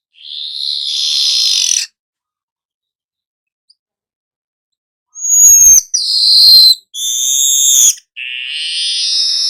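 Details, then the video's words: Weaver 'gacor nyerut' song: one long sizzling buzz, several seconds of silence, then a burst of whistled, sliding notes and clipped buzzy phrases. "burung manyar anda akan jadi GACOR NYERUT"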